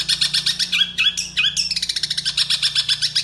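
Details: Long-tailed shrike from Cilacap, Central Java, singing a sparrow-style fill-in song used to train captive birds: fast harsh chattering bursts, brief whistled notes, then rapid rattling trills at about four per second, with a low steady hum behind.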